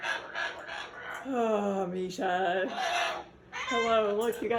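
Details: Male Moluccan cockatoo throwing a bedtime tantrum and refusing to go into his cage: three loud, drawn-out, wavering screams, each sliding slightly downward, with a person's voice faintly in the background.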